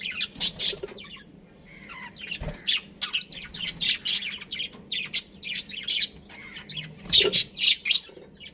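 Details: Budgerigars of a pet breeding pair chatter in uneven bursts of sharp, high chirps, busy and scratchy, with a denser loud flurry near the end.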